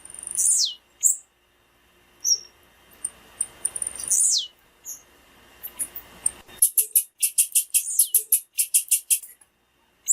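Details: Female blue-black grassquit: several very high whistles dropping quickly in pitch, then a long, fast series of crisp, repeated chips; the call is used to excite males.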